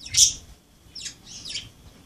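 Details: Pet budgerigars at play, giving three short, bright chirps, a loud high one first, then two softer down-slurred notes, over quiet room background.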